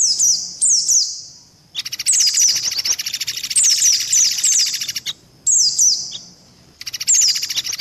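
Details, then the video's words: Oriental white-eye (pleci) lure call: thin, high chirps in quick falling runs, alternating with dense, buzzy rattling bursts that stop and start every second or two. "SUARA PIKAT BURUNG PLECI"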